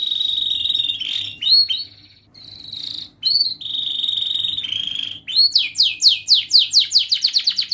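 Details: Young canary singing as a tutor for young birds: long steady high whistles broken by short gaps, then an accelerating series of steep falling whistled notes.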